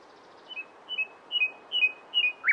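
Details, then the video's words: Series of five double whistled notes, each a brief high note dropping to a longer steady tone, growing louder across the phrase, ending in a sharp chirp; nightingale. "It turned out to be a nightingale | Real sound for more than ten minutes is so intoxicating"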